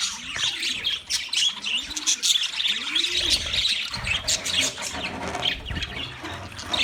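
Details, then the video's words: Wild budgerigars chattering together in a steady, high, twittering wash of warbled chirps and squeaks, with a few low soft coos from another bird underneath. "Wild Budgies Birds Chirping Sounds"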